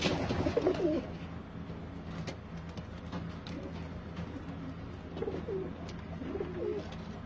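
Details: Kept pigeons cooing: a low, throaty coo near the start, then two more rolling coos a few seconds later, over a constant low hum and occasional clicks.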